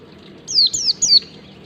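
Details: Wild-type 'ngalas' song of a white-eye, meant for training caged birds to learn it: three sharp, high whistled notes, each falling steeply, delivered in rapid succession within about a second against a quiet low hum.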